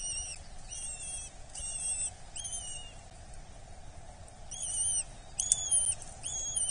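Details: Eurasian hobby chick fed at its nest in Dorset, 8 July 2024, calling insistently: high, thin, wavering whines with ringing overtones in groups of three or four, a short pause, then louder overlapping calls; low steady hum beneath.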